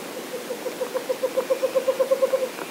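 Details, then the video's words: Western Screech-Owl: a run of about fifteen low, hollow hoots, speeding up and growing louder like a bouncing ball, over a faint background hiss. "And that is a western screech owl."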